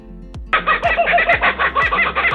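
A kookaburra's loud, rapid cackling chatter of harsh repeated notes, about five per second, with a soft music beat underneath.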